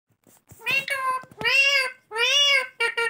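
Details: Rose-ringed parakeet giving its natural calls: four loud, nasal, drawn-out squawks with rich overtones, some wavering, separated by short clicks and gaps, recorded close up.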